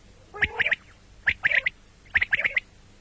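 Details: Common quail calling, morning and night: three crisp, high, clipped triple-note phrases, each a quick rhythmic 'whit-whit-whit' burst, repeated roughly every second over a quiet background.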